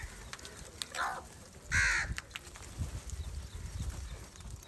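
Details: Crows gathering in anger over rice food: a soft caw followed by one loud, harsh, drawn-out caw, then quieter background noise.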